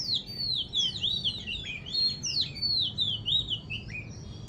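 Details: Small bird singing in the morning, a clear series of high whistled notes sliding downward, delivered in quick overlapping phrases over a low background rumble.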